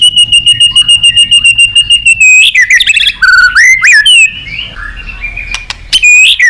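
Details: Therapy song of a white-rumped shama meant to make other birds sing: a steady high rattle of quick repeated notes, then tumbling loud whistled slurs and sharp clicks.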